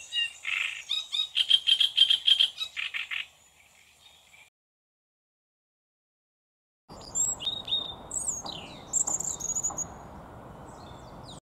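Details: Great reed warbler singing on 13 June: loud, harsh, croaking phrases repeated in quick bursts, then a pause and a noisier stretch with thinner chirps over a steady hiss.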